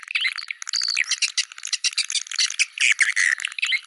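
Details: Swiftlets calling in "Goa China" style: quick squeaky chirps and short twitters, one thin whistled note near the start, tumbling on without pause.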